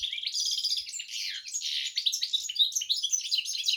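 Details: A goldfinch-canary cross delivers an unbroken stream of rapid, high-pitched warbling with buzzy trills and quick chirped notes.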